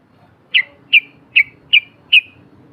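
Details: Yellow-vented bulbul in ngepak ngikluk style, used as a lure: five short, sharp, high notes evenly spaced about 0.4 seconds apart, each a quick bright chip over faint background hum.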